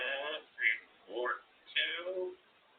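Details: A female pet grey parrot (Psittacus erithacus) sitting in her cage talks in a clear, human-like voice, giving four short word-like phrases over about two and a half seconds with rising and falling tones.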